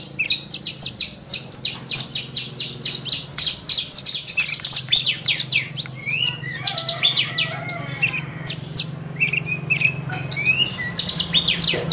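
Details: Horsfield's bush lark, a lark of dry stony grassland in Australia and Southeast Asia, delivering a luxurious chattering song: rapid high chirps, some lower slurred whistles in the middle, and a faint low hum.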